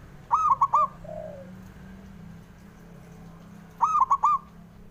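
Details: Two clear phrases of four quick, mellow coo notes from a male zebra dove, roughly three and a half seconds apart, with a soft lower note between them. The recording is used to prompt lazy doves into song.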